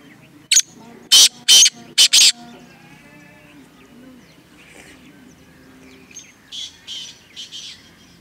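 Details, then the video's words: Francolin (teetar) from a village setting near Multan, giving five loud, harsh, broadband bursts in quick succession early on, then softer twittering from other birds and a few fainter rasping notes near the end. "teetar ke awaz teetar sound"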